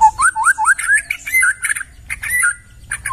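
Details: White-rumped shama recorded in the forest as tutor material: clear whistled notes sliding upward, repeated several times in quick succession, then higher warbled and chattering phrases with sharp high accents; faint low rumble beneath.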